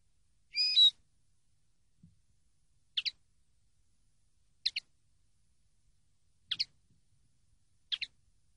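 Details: Common linnet on a training CD: an opening short whistled note, then widely spaced crisp double chirps roughly every one and a half seconds. No other sounds are heard.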